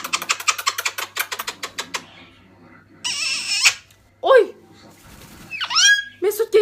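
A cockatoo chatters in quick speech-like syllables, then gives harsh rasping squawks and rising-falling screeches. Household voices speak in the background.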